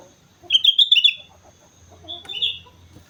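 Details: Sooty-headed bulbul from Mount Slamet giving a lively, bubbly phrase of quick warbled notes, then a softer second phrase after a pause, over faint low background rumble.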